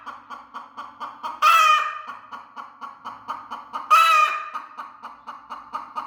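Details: Broody hen, angry and defending her eggs, gives rhythmic grumbling clucks in a constant pulse, with two sudden loud, rasping shrieks rising above them.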